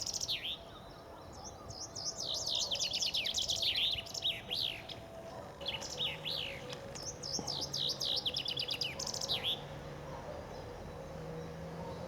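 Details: Several common chaffinches singing in spring beside the Ob river outside Novosibirsk, Siberia. Repeated fast, high, cascading trills, strophe after strophe with brief gaps, over a faint steady low drone.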